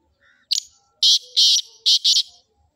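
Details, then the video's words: Black francolin of the Sindhi type giving its loud rasping call: a brief clipped note, a pause, then four strident, buzzy notes delivered in two pairs. Only faint low sounds are heard between them. "Sindhi Kala Tetar ki Awaz | Such Subhan Teri Qudrat | Kala Teetar Voice"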